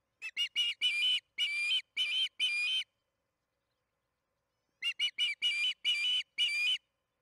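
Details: Nest-cam recording of an osprey at Charlo at evening feeding time, 8:15 pm MDT on June 21, 2019. Two bursts of around seven high whistled calls each, short notes leading into longer ones, separated by two seconds of silence.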